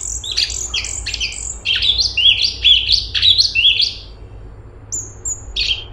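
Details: Cucak cungkok bulbul in vigorous song: a rapid tumble of high chirps and downslurred whistles for about four seconds, then a pause and a few thin whistled notes.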